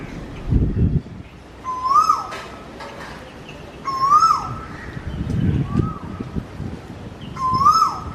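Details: An Asian koel in Vizag gives loud, rising whistled 'ku-oo' notes, one every two to three seconds, over a steady low rumble of background noise.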